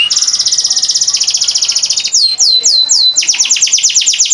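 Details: Captive canary from Boyolali, Indonesia, kept as a tutor bird for training other birds and noted for long song bouts: fast trills of steep downward-sweeping high notes, a few slower swooping whistles midway, then rapid trilling again.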